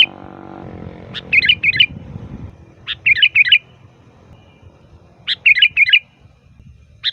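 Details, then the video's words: Sooty-headed bulbul giving a loud, lively song used as a lure for wild bulbuls: three bursts of short bubbly, fluttering whistled notes, each burst led by a sharp upward note, with a low rumble early on. "Suara Burung Kutilang Gacor FULL VARIASI"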